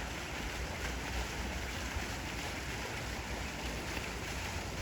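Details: Continuous outdoor rush of wind over water with a low rumble, resembling surf or a passing boat, and no animal voices.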